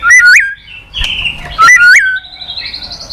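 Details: White-rumped shama song as a lure for a bird that will not sing: two loud whistled phrases, each swooping up in pitch, separated by a harsher note, ending in a thin rising series.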